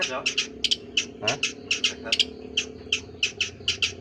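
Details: Long-tailed shrike giving a strange call: sharp, clipped high notes in quick doublets, repeated in a steady rhythm roughly every third of a second, with faint background murmuring.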